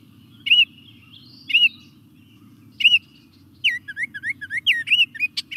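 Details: Baltimore Oriole song: three rich, spaced whistled notes, then a quicker run of clear, down-slurred whistles, over a faint low hum.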